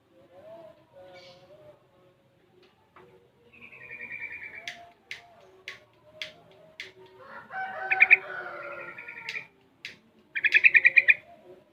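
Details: A six-month-old caged sooty-headed bulbul, very active and learning to mimic other songs: soft low warbling phrases, then loud rapid bursts of buzzy chattering notes near the end, with brief sharp clicks between.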